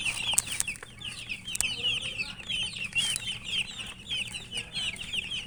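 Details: Many chicken chicks chirping while eating: a dense, continuous chorus of high, short downslurred peeps overlapping throughout, with scattered sharp clicks and taps mixed in.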